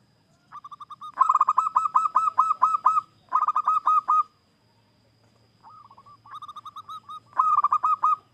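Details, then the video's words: Zebra dove (perkutut lokal) gives repeated bursts of rapid, staccato cooing notes ending in a rolling trill, each phrase one to two seconds long, in a quiet setting; a singing call used to lure other doves. "Perkutut Lokal GACOR,suara khas idaman para pemikat"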